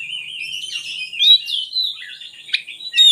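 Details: Continuous, softer oriental magpie-robin warbling of thin whistles and slurred notes, with a few sharp accents, used as lure song for magpie-robins that are reluctant to sing.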